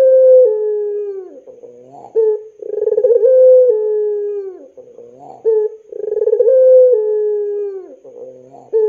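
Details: Puter pelung dove cooing, used as a model to draw young doves into calling. Repeated phrases roughly every three seconds: a throbbing start, a long low note that steps down in pitch, then a soft bubbling tail.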